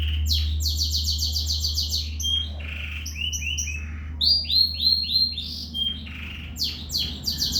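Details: Vigorous canary song: a buzzy rapid roll, sharp chirps, then series of short swooping whistles repeated several times per second, with a steady low hum beneath.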